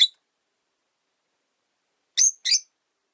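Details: Three short, piercing chirps, one alone and then a close pair, from caged Rosy-faced lovebirds newly housed three to a cage.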